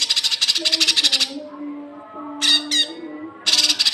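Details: Cucak kinoi on a training recording made to coax young birds into song: a fast rattling run of harsh, grating notes, a pause with a low drone, then two rasping squawks and another rapid harsh rattle.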